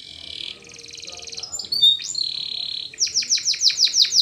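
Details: Spanish Timbrado canary, a song for training birds: a buzzy held trill, a rapid rattling run, gliding whistles and a long steady tone, then strong falling notes repeated about three per second, over low background rumble.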